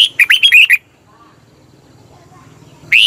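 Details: Red-whiskered bulbul from Thailand, song played to lure or excite birds. One quick phrase of about six bright, bubbling notes, then a low background hum before the next phrase begins.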